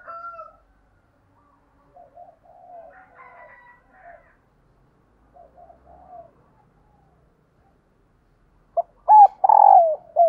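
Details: Spotted dove used as a decoy to call in wild doves: faint, soft coo fragments through the first six seconds, then after a pause a loud, full rolling coo phrase with a falling final note near the end.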